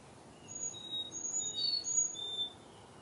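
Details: Autumn chickadee song from a backyard in fall 2021: a single short run of sharp, high, whistled notes at varied pitches, some sliding slightly downward, over a soft background hiss.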